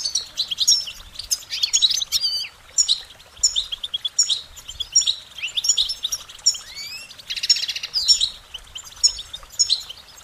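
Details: Goldfinches singing: a fast, continuous twittering of short high warbled notes and chirps, with a few downward-sliding whistles and a brief buzzy burst in the middle.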